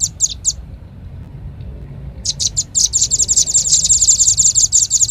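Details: Velvet-fronted nuthatch lure call used to attract birds: three high, sharp chip bursts, a pause, then a fast, steady series of dry, high-pitched chattering notes over faint low background rumble.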